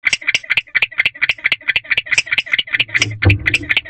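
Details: Male barn owl chirping at a nest box (Owl Box D) at 1:22 am on 5/3/23: a fast train of short, sharp, clicky chirps, about two per second, with one dull low thump near the end.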